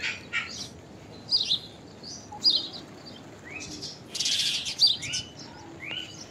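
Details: Common myna giving an unusual call: a varied string of short high chirps, rising whistled slurs and a harsh, broad, rasping burst near the end, spaced irregularly over quiet background hiss.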